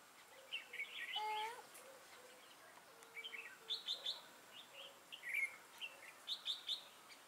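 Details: Red-whiskered bulbul decoy used for trapping, a bird with a lân-type crest and dark bib, recorded 6 November 2018: short warbled chirpy phrases around higher pitches with a few lower whistled notes, scattered over a faint background hiss.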